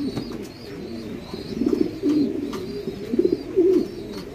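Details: Domestic fancy pigeons at a pigeon farm in Bangladesh, several birds cooing together: low, throaty rolling coos overlap in an irregular murmur, with a few louder bursts near the end.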